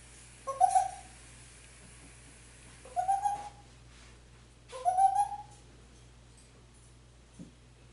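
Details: A male African grey parrot talking in Spanish, calling his mom and asking for turkey and chicken, utters three short voice-like phrases about two seconds apart. Each is a breathy onset sliding into a mid-pitched tone, in a quiet room.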